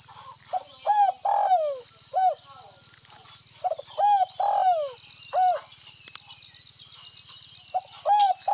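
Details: Northwest Vietnamese spotted dove singing gáy gù (bo) cooing: about five phrases of mellow, arched coos, short clipped notes leading into a drawn-out downslurred note, with a steady high hiss and faint low hum behind.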